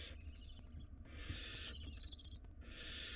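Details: Wild barn owl nestlings fighting over a very large rodent in their nest box, giving long overlapping harsh hissing screeches, one running most of a second, with brief gaps between.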